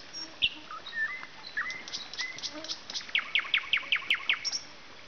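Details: Nightingale singing outdoors: scattered soft whistled notes and slurs, then a loud rhythmic series of sharp repeated notes, about seven in quick succession, over steady background hiss.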